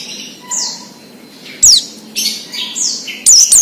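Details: Wild Oriental white-eye, a recording meant to stir young captive birds into singing: short high falling whistles and a couple of sharp bright bursts of fast chirping over a soft low background hum.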